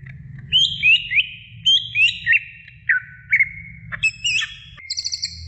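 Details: A female greater green leafbird calling the male gives rising and falling whistled notes in uneven runs, ending with a high, fast buzzy trill.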